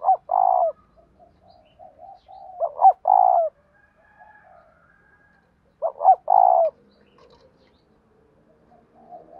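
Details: Spotted dove cooing in the 'giọng thổ' style: three loud phrases of two quick hooting notes followed by a drawn-out hollow coo, separated by quieter low murmuring coos.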